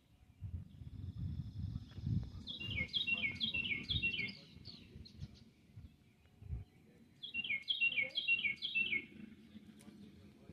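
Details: Orioles singing two bursts of quick, high, slurred notes tumbling downward, over the low rumbling buzz of a bumblebee.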